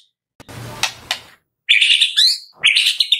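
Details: Medan-type White-rumped shama, recorded as a morning lure to start captive birds singing: a harsh, noisy rasp with two sharp cracks, silence, then dense, high, buzzy twittering in two bursts.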